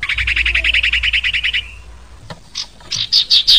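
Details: Song of a Sirpu bird: a rapid run of rich, slightly buzzy repeated notes lasting over a second, then a pause and a few louder, sharper chirps.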